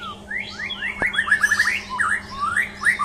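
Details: ['Champion white-rumped shama singing: a quick run of bright whistled notes, each sliding up then down, delivered in a rapid string with one sharp click near the start, over a steady low hum.']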